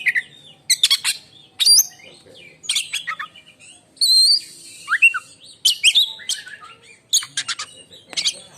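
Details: Contest oriental magpie-robin delivering a shrill, piercing song compared to a lightning strike: rapid high chirps, buzzy rattles and falling whistled slurs in quick bursts with brief gaps between them.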